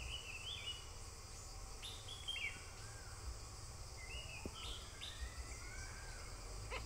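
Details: Malabar grey hornbill at the nest, feeding its young: a few quick rising chirps, sometimes doubled, with thin faint notes between them against a constant low background hum.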